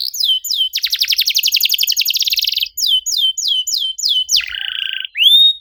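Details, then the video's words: Caged canary song used to lure silent birds into singing: rapid trills of upswept notes, then a dense fast rattle, a series of repeated descending whistles, a low buzzy trill and a final rising whistle. "PANCINGAN KENARI MACET GACOR NEMBAK RAPAT CUIT CUIT DIJAMIN AUTO BUNYI KALO DENGER KENARI INI!"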